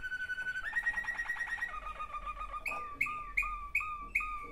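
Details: Two sibling Waterslager canaries in song: a steady whistled note opens into a fast rolling trill. Lower liquid notes follow, then sharp rising notes repeated about every half second.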